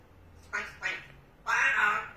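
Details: Indoor pet parrot, watching a cat through the window, gives two short raspy syllables followed by a longer, louder, drawn-out hoarse squawk.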